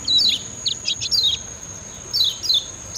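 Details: Kecial kuning, the Lemon-bellied white-eye of Lombok, on a training master recording: a short cluster of quick falling chirps, a pause, then two more downslurred high notes.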